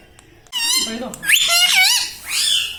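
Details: Parrot kept as a pet, mimicking human words like mummy: a continuous, loud, buzzy, speech-like stream of sliding syllables with rich overtones, lasting over two seconds after a brief quiet start.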